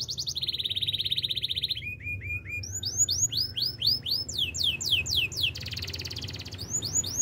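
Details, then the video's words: Canary singing in the wild: a steady buzzy trill, then lower rolls, followed by fast runs of sweeping descending whistles and a bright high trill, all in distinct tours. "melodies canary bird sounds in the wild"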